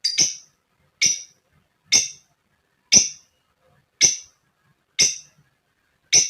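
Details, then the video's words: Female lovebird calling to provoke other lovebirds into ngetik and ngekek singing: sharp, harsh, high chirps, one about every second, with silence between. "Burung Lovebird SUPER GACOR JITU Buat Pancingan Lb Fighter Ngetik Ngekek"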